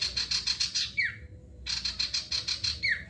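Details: Male ashy tailorbird in lively song, meant to prompt other birds to sing: two runs of rapid, high, buzzy chips, each ending in a short downward-slurred whistle, separated by a brief silence.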